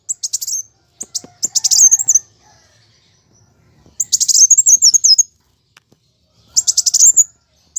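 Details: Plain sunbird in fighting song for training kept birds: three high, rapid chattering phrases with wavering trilled tails, separated by one to two second pauses and faint lower tones.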